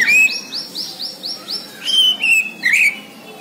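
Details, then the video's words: Bornean white-rumped shama in full song, opening with a quick series of about seven repeated rising upslurred notes, then longer clear whistles and a twisting warbled phrase at the end. "MURAI BORNEO GACOR DARRR DERRR DOORRR"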